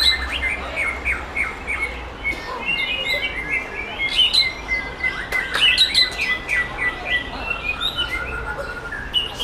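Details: Competition white-rumped shama, caught wild in Sumatra, heard at a Bengkulu contest ring. Busy chattering song of quick high notes over a long sustained whistled tone, with scattered sharp clicks and faint low rumble behind.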